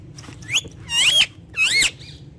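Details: Pet ringneck parrot talking face to face in Urdu or Hindi: a few short, squeaky, speech-like syllables with rising and falling tones, separated by brief pauses over a low indoor hum.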